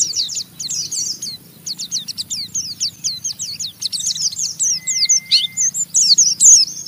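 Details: Chattering Oriental white-eye song meant to get other white-eyes singing: strings of very high, quick downslurred chips, rising in intensity, with one brief steady tone midway and low background hum.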